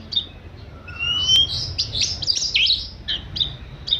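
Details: Kacer, the oriental magpie-robin, giving 'manja' song: high whistled slides and dense, scratchy, chattering phrases delivered rapidly, with a few sharp sweeping notes near the end.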